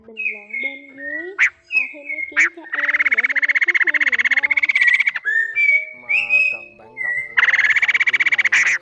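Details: Male and female laughingthrush calling the flock, used as a trapping lure: clear whistled notes that slide and bend, broken by sharp bursts, then long fast rattling trills repeated in quick pulses.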